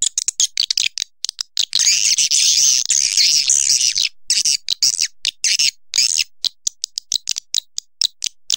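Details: Swiftlet sound: drawn-out harsh buzzing phrases in the middle, framed by irregular quick clicks and short chirps.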